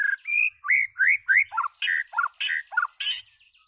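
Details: White-rumped shama singing: a quick run of clear, upward-sweeping whistles, about three a second, followed by harsher, buzzy, downslurred notes.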